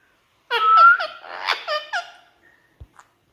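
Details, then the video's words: Caged pet Indian ringneck parrot mimics human speech at a mirror: a quick run of about six clipped, voice-like syllables with one longer rising vowel, then faint clicks in a small quiet room. "Non -Stop Talking Parrot"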